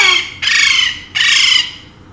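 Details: Pet Alexandrine parakeet, one of two kept birds said to speak Urdu and Hindi, giving a short harsh call followed by two loud, raspy, buzzy squawks, each about half a second long, indoors.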